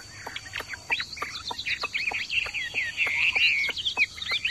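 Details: Hwamei kept caged in a courtyard, excitedly joining in after other birds call: a rich, continuous run of varied, slurred whistles and warbles, rising and falling quickly, with sharp clicking notes interspersed and a faint steady hum behind.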